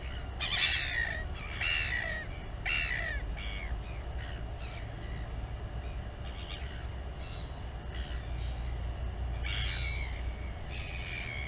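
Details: Nest camera at the Taiaroa Head Royal albatross colony near Dunedin, New Zealand, as a mother feeds her chick; loud descending squawks about once a second early on, then softer broken calls, with wind rumbling throughout.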